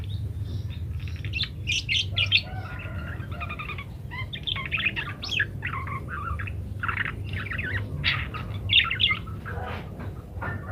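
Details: Parakeet in lively varied song, meant as a tutor recording for munias: dense scratchy chatter and clicking notes almost without pause, mixed with short whistled slurs, over a steady low hum.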